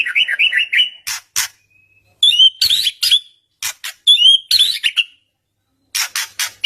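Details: White-rumped shama song used as a lure to provoke a silent bird into replying: fast varied phrases of rich whistles, slurred rising notes and harsh raspy bursts, broken by short pauses.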